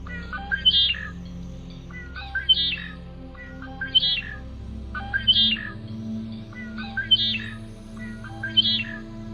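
Red-winged Blackbird gives a gurgling note ending in a buzzy, rattling trill, about every two seconds, over soft background music.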